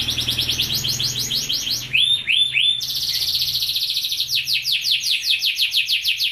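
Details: White canary singing a continuous bright song: rapid high trilled rolls, a short run of three lower swooping notes midway, then more fast repeated trills.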